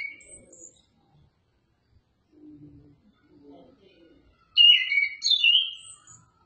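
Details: Oriental magpie-robin with a brief high note, faint low murmuring, then a loud burst of varied, warbling whistled song near the end.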